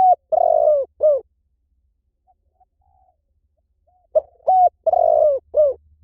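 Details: Spotted dove cooing in soft, throaty phrases of a few short notes around one drawn-out burry coo. There are two full phrases about four seconds apart, with a faint low hum beneath them.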